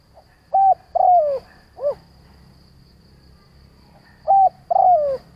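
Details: Spotted dove decoy calling to lure other doves. Two cooing phrases about four seconds apart, each a short level coo, a longer coo gliding downward, and in the first phrase a short rounded closing note.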